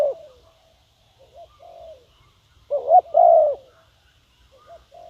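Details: Decoy spotted dove luring wild doves, mostly soft faint cooing with one loud clear double coo phrase in the middle and quieter notes before and after.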